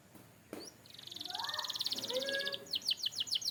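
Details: Singing canary: a sharp click, then a long rapid pulsed trill that builds in loudness, with softer lower warbles underneath, breaking into fast high repeated chips at the end.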